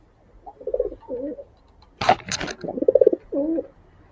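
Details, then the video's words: Pigeons being fed grain in the morning give soft cooing: short low wavering coos in series, broken at mid-clip by a burst of wing flaps or scuffling, then more throaty coos resume. "अलग-अलग प्रकार की ध्वनि सुनने को मिल रही है। कभी धीमी गुटुगू तो कभी सावधानी की आवाज तो कभी मातृत्व की आवाज"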